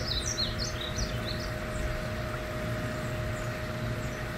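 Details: A male painted bunting in northwest Fort Worth, Texas, sings a quick, high, sweet warble of slurred notes, then fainter phrases, over a steady low rumble and hum.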